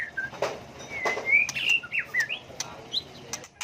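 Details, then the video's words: White-rumped shama in changeable, many-voiced song aimed at stirring birds to sing in contest: soft drawn-out whistles and short slurred notes, with a few sharp clicks and fluttering sounds between them. "chòe lửa hót hay, nhiều giọng, đảo giọng liên tục, kích chim hót đấu"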